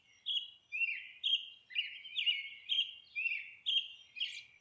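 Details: Monk parakeet, a small green South American parrot, nesting and calling in a steady series of harsh, rasping chatter notes, about two per second, in a quiet setting.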